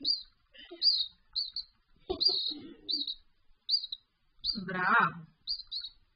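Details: Raza Española canary chick being hand-fed in August 2017: high thin chirps repeated roughly every half second, with a brief low voice-like murmur near the end.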